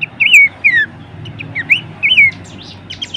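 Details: Horsfield's babbler, for training and luring songbirds: several looping whistles rising then falling, spaced about half a second apart, with brief higher chips toward the end.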